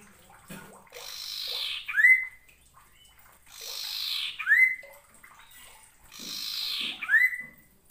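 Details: Common iora, a lively, persistent singer, used to train and provoke lazy ioras into singing: a clear whistle slides sharply upward and levels off, repeated about every two and a half seconds, each preceded by a soft rushing hiss.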